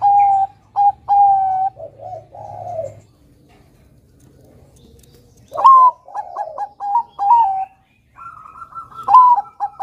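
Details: Zebra dove of the Bangkok type singing strongly: clipped ringing coos and a rolling trill, a quiet pause, then another burst of rapid staccato coos ending in drawn, warbled notes.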